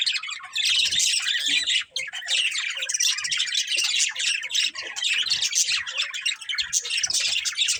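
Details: Breeding pair of budgerigars chattering nonstop, a dense, scratchy warble of rapid chirps and squawks with only a brief pause near two seconds.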